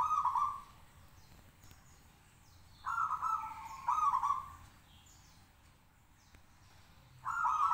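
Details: Caged local zebra dove singing to provoke answers: loud trilled cooing phrases, each about half a second to a second, in a broken series with pauses of a few seconds, faint background noise.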